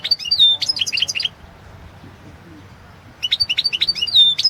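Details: Goldfinch song from a 2016 world championship competition entry: two bouts of lively, chattering twitters and bright whistled slurs separated by a short silent gap.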